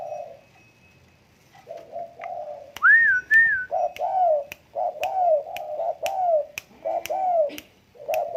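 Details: Low, hollow coos from a tame spotted dove come in a steady string of short rounded notes. One high, arching whistle sounds early on, and crisp clicks are scattered through.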